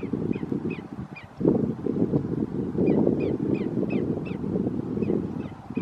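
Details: Greater yellowlegs calling at Roxbury Park, Meggett, South Carolina, on 5 January 2019: clear, high, down-slurred whistled notes given in quick runs of two or three, repeated throughout, over strong low rumbling background noise.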